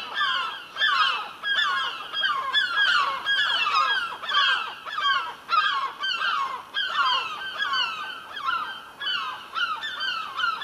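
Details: Gulls spinning around in one spot above a house, calling continually. A long run of loud, harsh, falling cries comes in rhythmic bursts of several calls, roughly ninety per minute, from more than one bird.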